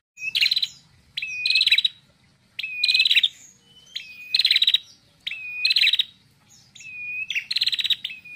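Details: A female red-headed prinia sings loudly, giving high, buzzy phrases, each a short slurred whistle followed by a rattling burst, repeated about every second and a half.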